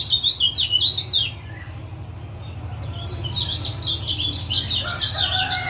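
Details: Lemon-bellied white-eye male from Lombok uttering 'ciak ciak' chatter to encourage a quiet caged male to sing: a burst of fast high chirps, a brief silence, then a longer lively string of sharp twittering notes above a faint low hum.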